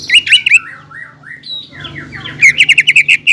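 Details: A greater green leafbird in full song, provoking a rival: loud chattering notes open, then softer sliding whistles, ending in a fast series of loud, clipped repeated notes.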